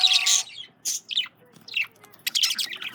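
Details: Male budgerigars eating carrots give a loud buzzy squawk, then a string of quick, high, twittering chirps and warbles that rise and fall.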